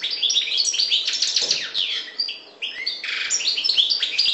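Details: Maghreb parva goldfinch delivering a dense, liquid warble of quick high twitters and buzzy trills, with a short break midway before the chattering stream of notes starts again.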